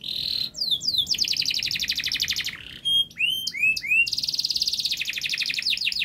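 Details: Canary in continuous rapid song, a model for young birds learning to sing: buzzy trill, descending slurs, long fast chattering tour, quick upswept whistles and a dense high rattling trill.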